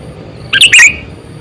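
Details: Single quick phrase from a sooty-headed bulbul used as a decoy to lure other birds: two or three fast, bright, squeaky chirps run together, loud and clear over quiet background.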